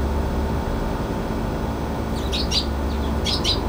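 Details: On a balcony, 9 February 2022, a brown-eared bulbul shut out from the feeder gives two quick pairs of piercing, squeaky high calls near the end, with a continuous low traffic drone.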